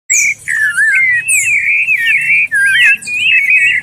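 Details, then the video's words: Sabiá thrush singing a warm-up song: a fluid, nearly continuous run of warbled, slurred whistles in a mid register, broken by brief pauses, with faint high overtones and a low background hum. "ESQUENTA sabiá"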